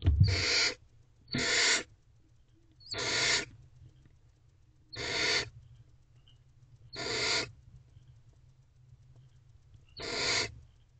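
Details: Begging from very hungry young barn owls in nest box C, late at night on 22 April 2023, as their mother helps feed them; six harsh, noisy hissing screeches at uneven gaps of one to three seconds, with a low hum throughout.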